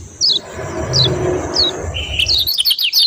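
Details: Kecial kuning, a white-eye, sings three high, thin, down-slurred chirps at even intervals, then launches into a fast, tumbling run of squeaky twittering notes; a low rumble of background noise underlies the start.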